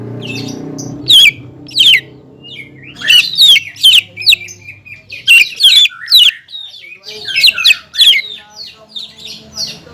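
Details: Greater green leafbird, a caged songbird, singing to provoke a rival leafbird: loud bursts of sharp, slurred whistles and chattering notes high in pitch, delivered in short phrases separated by brief pauses, with faint low hum beneath.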